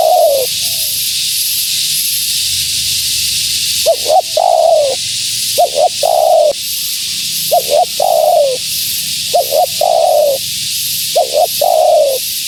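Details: Female spotted dove giving a lure call for wild doves. After a quiet start, a run of six phrases follows, each a double hoot and a descending drawn-out coo, evenly spaced against a hissing background.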